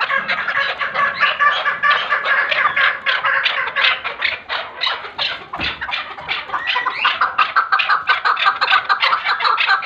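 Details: Chukar partridge clucking call in a long, busy series of scratchy, repeated chuck notes, uneven in spacing and loudness, with a brief low thump partway through.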